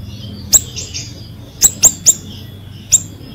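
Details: Energetic ashy drongo song for luring drongos that have gone silent. Five sharp, high clicking notes come in an uneven run, trailed by soft buzzy chirps, with a quiet background hum.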